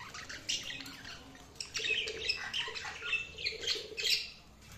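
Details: Tame cockatiel, a pet parrot, calling with dense scratchy squawks and shrill chirps that grow louder and busier in the second half.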